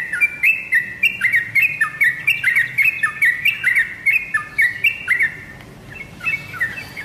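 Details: Yellow-vented bulbul lure call for prompting kept birds to sing back: quick, bubbly chirps in fast succession. A short pause breaks the run before a few more notes resume near the end.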